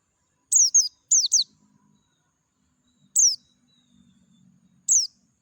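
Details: Dakun-type white-eye singing in beautiful natural surroundings: very high, thin down-slurred chirps in quick pairs, then single notes spaced about two seconds apart, over a faint low rumble.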